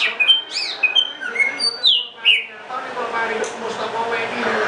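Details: Greater green leafbird singing a quick string of clear whistled notes and sharp upslurred chirps for about two seconds, then broken off by a broad rushing background noise.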